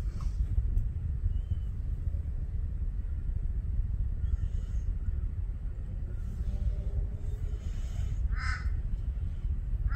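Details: One harsh, short caw of a Torresian crow near the end, after a long stretch of low rumbling background noise with faint distant sounds.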